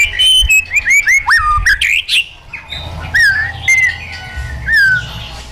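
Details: Caged white-rumped shama singing wild-style song: quick descending slurred whistles tumbling together, then a few spaced, drawn-out falling whistles.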